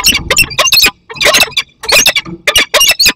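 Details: A young peregrine falcon meets an adult in Poland's Barycz Valley in mid-August 2021. Grating, chattering squawks come in dense clusters with brief pauses, and a faint low rumble sits underneath.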